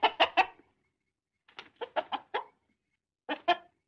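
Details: Hen clucking in short bursts: three quick clucks, a pause, then a run of five or six, and finally two more, each note low and throaty against a quiet background.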